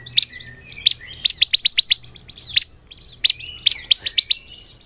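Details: Chatty Bar-winged prinia (ciblek) singing 'nembak belalang emas' as master and lure song: isolated loud high chips, then a rapid string of six sharp notes, thin slurred whistles woven between.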